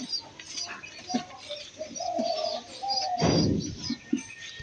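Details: Two white pigeons give soft, low cooing notes, with a sudden louder burst partway through.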